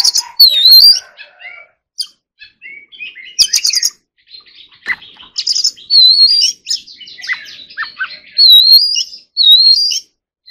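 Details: Oriental magpie-robin in song training, singing in the forest-voice style: repeated rising, wavering whistles alternating with rapid chirps, trills and sharp clicks, delivered in loud phrases separated by short pauses.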